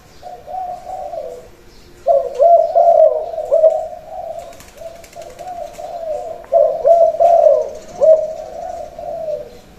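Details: Trained male decoy Spotted Dove, already trained on the ground, gives its khan yon cooing song before being boxed for shipping; low, rolling coo phrases, loud from two seconds and again near six and a half seconds, softer cooing between.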